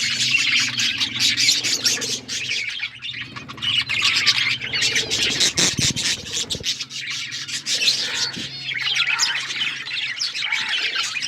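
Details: Pet budgies in a group chirping and chattering, a steady stream of scratchy warbles and squeaks with brief pauses and a soft low hum in the background.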